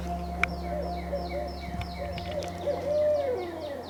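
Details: Barred Owl heard in the wild at a small city park creek in Oklahoma, on Earth Day, giving a low, rounded hoot that swells and falls near the end, with thin high chirps of other birds and a steady low hum behind.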